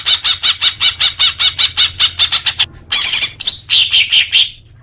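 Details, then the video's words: Leafbird song aimed at newly caught young birds as therapy: steady series of loud chirps about three per second, then a harsh burst and a few clear whistled notes. "suara kicau murai daun untuk terapi burung bakalan"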